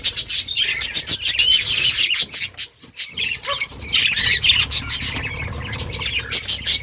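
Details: Australian budgerigars chattering in a breeding colony kept in a cage at home; dense overlapping scratchy chirps and squawks from many birds, with a brief quiet gap near the middle.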